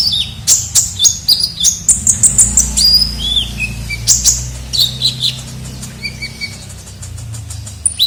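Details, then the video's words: Lure call of a kolibri ninja sunbird, used to attract birds: rapid high-pitched chirps, short rising and falling whistled notes repeated in quick bursts, with a faint low hum underneath. "pikat suara burung kolibri ninja gacor"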